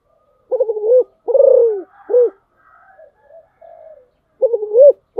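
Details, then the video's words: Spotted dove serving as a decoy calls in short phrases of low coos, three notes, then soft faint murmurs during a lull, then another two-note coo phrase rising at its end. "tiếng chim cu gáy mồi"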